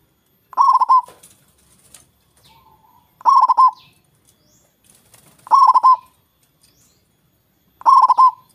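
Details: Loud local zebra dove, kept singing to tempt rivals into answering, delivers four rapid bubbly coo phrases at roughly two-and-a-half-second intervals; faint chirps and soft coos fill the gaps.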